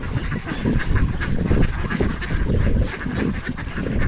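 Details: Ducks on a frozen pond in Toronto, Canada, on 28 January 2025, begging for food: a crowd giving a steady stream of low, overlapping quacks and gabbling calls over a constant rumbling background.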